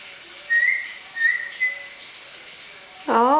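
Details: A one-year-old pet Solomon Island eclectus parrot, coaxed to talk, whistles three short, clear notes, each rising and falling, about half a second apart; a woman's praising voice follows.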